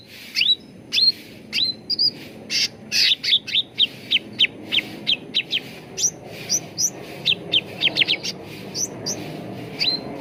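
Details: Ruby-throated bulbul (cucak ranting) song used as a lure and training recording so birds sing readily: a steady run of short, bright, rising whistled notes, often hooked upward, given about twice per second with brief quick clusters over a soft background hiss.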